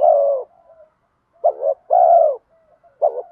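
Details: Wild-dove luring call of a spotted dove in bronze-voice style: a long low coo, a pause, then a stuttered double note and another long coo, ending with a further clipped double note.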